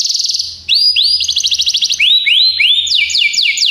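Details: Training song of a Belgian canary: a short rattle, then arching whistled slurs and rapid trills, closing with broad falling sweeps.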